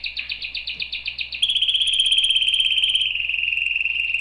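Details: Canary song: a fast pulsed trill around the upper-middle register for about 1.4 seconds, then a sudden switch to a higher, smoother rapid roll that slowly drops in pitch and carries to the end.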